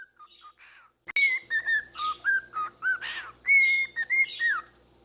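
A cockatiel whistles a familiar television theme tune in clear, fluty notes that slide up and down.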